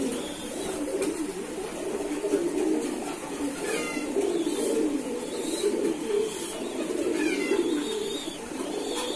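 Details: Kept domestic pigeons cooing together, a steady low murmuring drone of overlapping coos from several birds, with brief faint higher chirps now and then above the continuous rumble.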